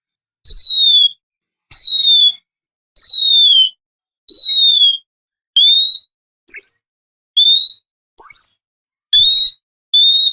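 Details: Oriental magpie-robin, said to be a female in heat calling a male, as a morning lure: a regular series of clear, falling whistled notes repeated roughly every 1.3 seconds, occasional short rising variants, clean background.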